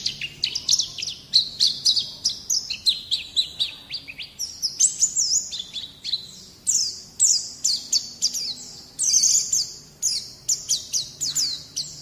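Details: White-eye song used to coax young birds into singing. Quick high notes run in a nearly unbroken series for twelve seconds, with occasional longer whistles.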